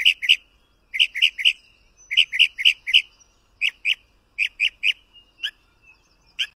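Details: Mockingbird singing short, sharp chipping notes in quick clusters of two to four, each cluster under a second apart, some notes slurred, with brief pauses between groups.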